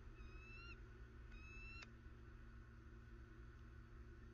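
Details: A bald eagle in Southwest Florida on 21 December 2019 gives two thin, high, slightly rising piping notes about a second apart, over a steady low rumble and faint electrical hum. Bald Eagle.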